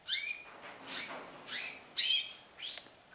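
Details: Canaries beginning their singing season; short bright chirps and downward-sweeping whistled notes in separate bursts about half a second apart, with quiet gaps between.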